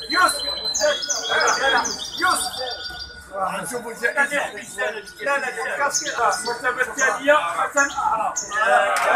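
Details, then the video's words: At the Ain Chock association's singing contest, 23 May 2021, a hybrid goldfinch delivers rapid high twittering runs and sharp repeated notes, with human voices murmuring underneath throughout. "مباراة تغريد هجين الحسون جمعية عين الشقConcours de chant hybride Chardonneret"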